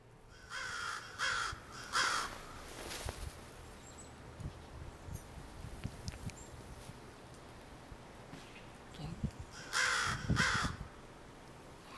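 American crow giving harsh, nasal caws in two bursts of three or four, with a quiet pause between and faint background hum.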